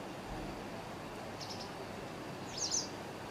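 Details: White wagtail (Amur wagtail) in Chiang Mai, Thailand, a winter visitor from late September, giving two brief, sharp, high-pitched calls about a second apart, the second louder, over a steady low rumble.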